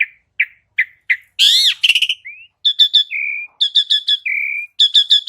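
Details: Asian pied starling, played as a training lure for cage birds: four short whistled chirps evenly spaced, a loud harsh screech, then repeated clusters of bright ringing notes separated by long, steady, flat whistles.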